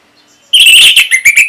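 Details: Orange-headed thrush singing, from North Bali, Indonesia, a recording meant to make other birds respond in song: a sudden loud, rich warble followed by short repeated whistled notes.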